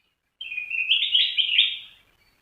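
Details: Sooty-headed bulbul singing one bright, warbling phrase of about one and a half seconds. It starts with a rising whistle, then runs into fast liquid slurred notes that fade out. The background is quiet.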